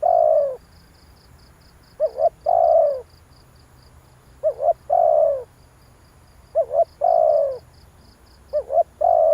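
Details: Trapping lure sound of a spotted dove: a steady cycle of two short hiccuping notes and one long, rough, falling coo, roughly every two and a half seconds, over a faint pulsing high tick.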